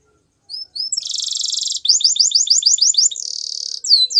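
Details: Singing canary used as a training song: a couple of thin upslurred notes, then a dense buzzy roll, a quick run of bright repeated chirps and another harsh rattle, closing on high sweeping whistles.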